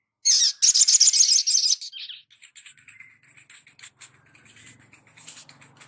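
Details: Sogon in vigorous song, recorded for tutoring other birds: a loud harsh note and a rapid scratchy rattle, followed by a long run of softer, mixed high twitters and chips.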